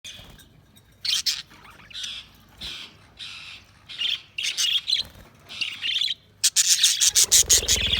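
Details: Budgerigars chirping: bursts of harsh, scratchy chatter centred high, about a second apart, broken by short pauses, ending in a dense run of rapid clicky notes.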